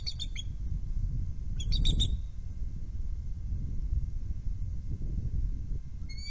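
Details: At a webcam nest around 09:11, a bald eagle arrives with prey. It gives two short bursts of thin, piercing, stuttered notes early on, then only low wind rumble, with one faint high note at the end.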